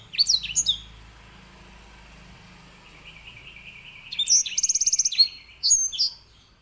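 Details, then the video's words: Edel sanger or grey singing finch, a loud-voiced small finch kept for training canaries, gives a short whistled phrase, then after a pause a fast rattling trill and sweeping high notes, over a low background hum. "EDEL SANGER SI BURUNG BERSUARA LANTANG"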